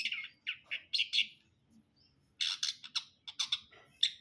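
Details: Brundol long-tailed shrike song: clusters of quick harsh chattering notes, bright and scratchy, delivered in two bursts separated by a short pause.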